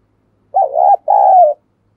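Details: Spotted dove giving a 'thúc gù' or 'gáy gọi' coo, used to lure wild doves. A single phrase: a quavering opening note, a brief gap, then a longer steady coo that falls at the end.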